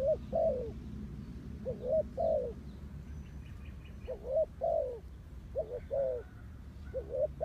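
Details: Spotted dove giving a clean call suited for trapping lures: deep, hollow coos in short groups of two or three, with a brief pause midway, faint high chirping of other birds, and low background hum.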